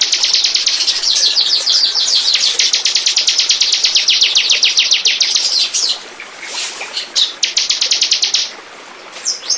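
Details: Bar-winged prinia singing on a lure recording made to draw in birds: a long, fast, even run of high clipped notes lasting several seconds, then a pause and a shorter repeated burst.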